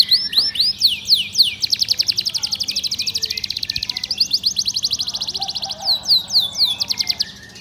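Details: Canary singing: rapid, high, sweeping chirps repeated about four per second in long, rolling trill-like runs, with faint talk and a low hum underneath.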